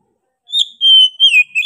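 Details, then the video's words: Oriental magpie-robin giving a brief, lively song phrase: a rising note, a long level whistle, then a descending slur and a final short note. "KACER GACOR NGOTOT PEDES SUARA NYA GA DA AMPOON"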